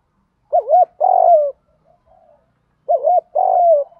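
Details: Spotted dove decoy giving urging 'gù thúc' coos meant to lure doves: two phrases, a wavy double note then a longer downward-gliding coo, separated by faint soft notes.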